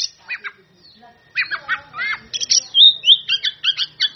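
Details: Caged Oriental magpie-robin in full song, said to be calling out rivals; harsh buzzy chatter notes give way to clear whistled slurs and rapid rising-falling phrases, loud and varied.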